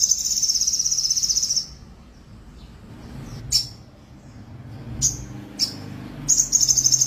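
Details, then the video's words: Caged crested jay without a tail, singing: a loud, very fast, dry buzzing rattle of high notes lasting about a second and a half, a few short sharp isolated clicks, then the rattle returns; faint low hum behind. "Sogon ngga ada ekor tetep gacor materi!!"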